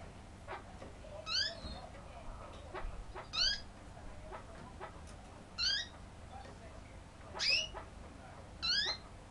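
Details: Kurdish chukar, described as aggressive, repeating a kaw call: six brief, sharp, overtone-rich notes, each roughly two seconds after the last, over quiet background with faint ticks.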